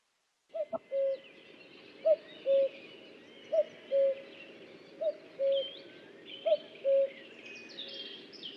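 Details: A distant common cuckoo calling at about 1 to 1:30 am in spring in a Sussex street gives its two-note 'cuck-oo', a higher note dropping to a lower one, five times about every one and a half seconds over faint night hiss.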